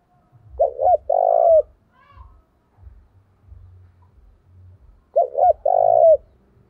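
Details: Decoy spotted dove calling to provoke fights, in the thổ voice style: two short rising coos, then a long, slightly falling coo. The phrase sounds twice, about 4.5 seconds apart, with faint low thumps between.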